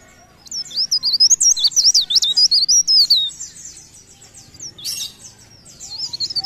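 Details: Lively leaf warbler song, a rapid run of high, rippling, twisting whistles lasting about three seconds, then quieter chirps and a brief renewed burst of warbling near the end.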